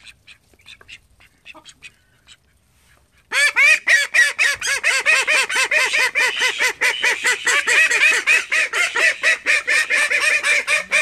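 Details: Call ducks from a flock of thirteen kept at home: a near-silent start with faint ticks, then after about three seconds a sudden loud burst of rapid, harsh, nasal quacks, roughly two per second, overlapping calls continuing to the end.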